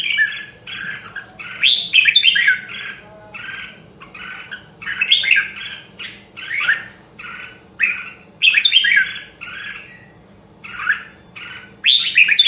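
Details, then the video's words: Red-whiskered bulbul of the Nam Dong, Hue line in a voice training session: a steady series of harsh-edged, chattering warbled phrases, loudest in bursts near the start, middle and end of twelve seconds. "Luyện giọng Chào Mào Nam Đông Huế Hàng Hiếm Còn Sót Lại ! giọng cực chất"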